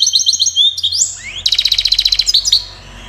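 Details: A European goldfinch from Safi, Morocco, sings continuously in the Widani style, with sliding whistles, then a fast, even run of sharp twittering notes, over a steady low hum.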